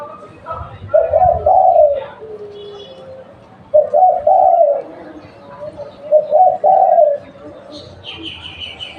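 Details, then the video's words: Local spotted dove used as a lure, giving three low hoarse cooing phrases about three seconds apart, each a quick rising-falling coo pair followed by a drawn-out lower note. A brief high chirp from another bird comes at the end. "Tekukur lokal buat pancingan"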